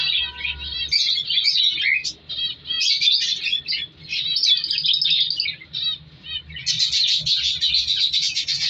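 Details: Baby budgerigars chatter in a steady stream of high, scratchy warbles and quick chirps.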